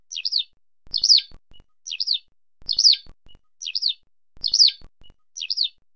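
Eurasian skylark giving short, rippling 'chirrup' calls in quick pairs, about one pair each second, high and liquid, with faint clicks beneath.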